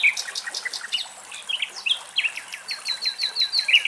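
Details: A Common Nightingale sings in Greek countryside, a rich, high, varied song of sharp chirps, quick trills and fast runs of repeated notes, with faint rushing water behind.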